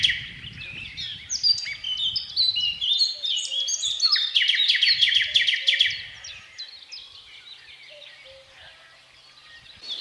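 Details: Thrush nightingale with a powerful, varied strophe: a dense stream of chirps, whistles and rapid trills grows loud, then breaks off into quiet with only faint, scattered notes afterwards.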